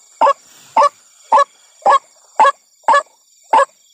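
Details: Ruak-ruak, the white-breasted waterhen, at night near a corn field where birds are hunted: seven short, hoarse croaks spaced roughly every half second, with clear gaps of quiet between them.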